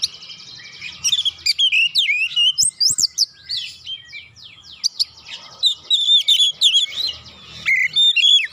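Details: Oriental magpie-robin song used as a lure to get slow, quiet birds singing: a dense, fast run of varied whistles, slurred sweeps and sharp chips, rising and falling, with brief pauses, over a faint low hum.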